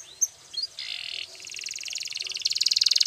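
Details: Belgian canary song for training, with a few short sweeping notes, a buzzy burst, then fast repeated trills that grow louder toward the end, rising to about sixteen notes a second.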